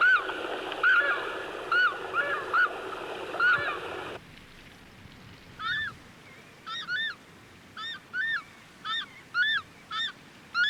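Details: Takahe, a flightless rail, in the Murchison Mountains of Fiordland, New Zealand, giving loud, honking calls, often doubled, with a rising-falling ring, about once a second, apparently a territorial male answering a played-back territory call; early calls over a steady hiss.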